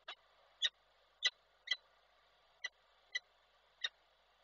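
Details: Female peregrine falcon, slightly soaked, calling to the male at an urban nest site in Koszalin, Poland, on 7 August 2023. Seven sharp, harsh calls come at uneven intervals over a quiet background hiss.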